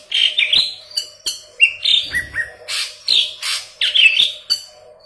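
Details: Yellow-headed leafbird singing hard (gacor) as tutor song for green leafbirds: rapid run of short whistled notes, downslurs and scratchy bursts, about ten phrases in five seconds, with a faint low thump.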